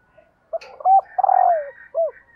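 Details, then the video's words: Female spotted dove call meant to excite males: a short note, a held coo, a fast stuttering rattle that glides down into a long coo, then one arched falling coo. "CU GÁY MÁI KÍCH TRỐNG"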